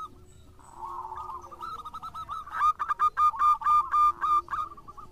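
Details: Local zebra dove in lively song, starting with a soft warbled murmur that builds into loud, punchy cooing notes spaced about four per second before fading away.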